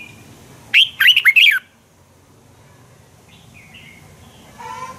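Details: Red-whiskered bulbul fighting song used to train birds: a single loud phrase of four or five quick warbled whistled notes, followed by quiet with faint distant chirps and a low hum at the end.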